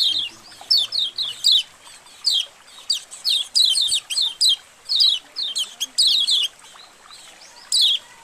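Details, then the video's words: Colony of white-eyes, used to prompt white-eyes to open their beaks, keeps up a busy chatter of thin, high chirps and quick twittering phrases, overlapping in bursts every second or so. "Suara Koloni Burung Kecial Untuk Memancing Kecial Buka Paruh"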